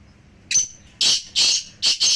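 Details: Calls of three black francolins, used to rouse a pet francolin into calling: four harsh, loud, broadband bursts in quick succession over about two seconds, with a quiet background.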